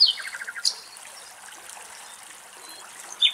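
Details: Common nightingale singing among the foliage of an almond tree in Greek nature: a quick burst of rich song, a high whistle, then a run of five rapid repeated notes and a sharp high note, over a soft trickling background.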